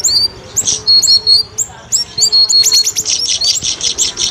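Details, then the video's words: Trapping lure recording of streak-eared bulbul: scattered high chirps and thin level whistles that build into a fast, dense run of shrill repeated notes toward the end. "pikat burung siri siri"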